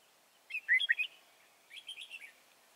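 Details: Red-whiskered bulbul singing during wild-bird trapping at Chùa Hương, Vietnam, on 24 March 2018: two short phrases of quick liquid whistled notes, the first louder and bubbling, the second softer, in a quiet setting.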